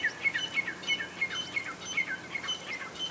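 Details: A female grey francolin gives a fast series of short, bright, high notes, roughly three per second, with clipped, slightly rising tones in a quiet outdoor setting.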